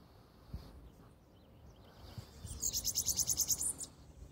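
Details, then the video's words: Morning song of a bananaquit, a short burst of rapid, high-pitched buzzy notes run together into a sizzling trill about a second long, after a quiet stretch with faint distant thumps. "SIBITE ESTRANHO DEIXANDO SEU BOM DIA."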